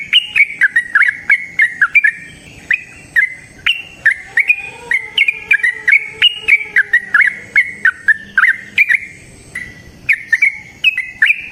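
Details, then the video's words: Yellow-vented bulbul singing in the long, rapid wild style meant to lure other bulbuls into song: steady stream of sharp, bright two-part chirps with faint low tones behind. "Trucukan GACOR ngalas ROPEL PANJANG suara alam"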